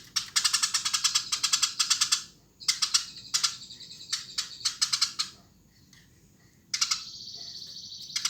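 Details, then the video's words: Eurasian tree sparrow chattering busily: a long run of fast, harsh chirps, then scattered short bursts and a steady thin high trill to close. "Burung gereja gacor !!!"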